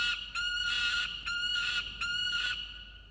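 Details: Peregrine falcon (Falco peregrinus) on the FalconCam in Orange, NSW, 26 June 2021, in an exchange over food ("this food is not for you"). It gives three harsh, drawn-out wailing notes, each close to a second long, with little pause between them.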